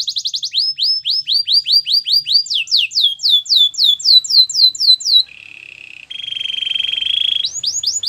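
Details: Belgian canary singing to warm up and get ready for females: rapid repeated tours of high falling whistled notes, switching to a steady rolling trill, then back to fast descending phrases.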